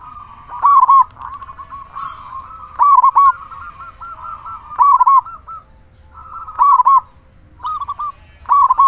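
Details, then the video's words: Strong-voiced local zebra dove, played to raise arousal and get silent zebra doves singing; bright, bubbling three-note coo phrases recur roughly every two seconds between quieter rolling trills, with a short rustle near two seconds. "Perkutut lokal gacor suara besar"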